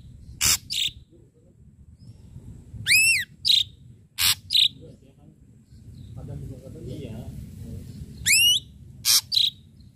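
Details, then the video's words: Energetic ashy drongo song with sharp, punchy notes: harsh rasps and ringing upward-sweeping whistled notes come in spaced bursts, with a quieter gap of low murmuring noise in the middle. "srigunting abu abu gacor PANCINGAN PUKULAN TAJAM"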